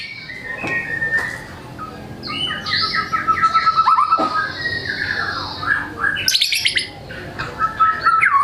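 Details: Energetic White-rumped shama song showing off its learned repertoire: a high held whistle over a fast descending trill, then scratchy notes and a rising sweep into a bright, wavering whistle.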